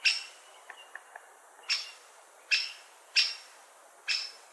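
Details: Loud sharp 'kik' notes from a great spotted woodpecker, five in under five seconds, with a few soft quick ticks after the first call.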